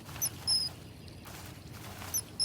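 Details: A mother Common Kingfisher in Germany calling outside the nest hole to coax her chick out, signalling food is waiting: shrill, thin, very high whistles, two quick notes near the start and two near the end, over a faint low rumble.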